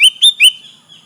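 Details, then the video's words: Sooty-headed bulbul calling rivals, used as a lure: three quick clear whistled notes in a rapid run, followed by a fading drawn-out tone. "Suara burung kutilang gacor memanggil lawan"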